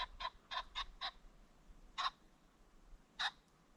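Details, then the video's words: Ring-necked pheasant at sunset in a creek bottom, giving five quick harsh clucking notes in a burst, then two more single loud notes spaced about a second apart. "The Sounds of the Ring-necked Pheasant"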